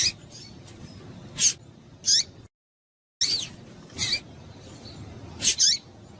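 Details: High, harsh chip calls of a female yellow-bellied seedeater, played so males will sing. Notes come singly or in close pairs, some sliding downward, with a brief silent gap midway.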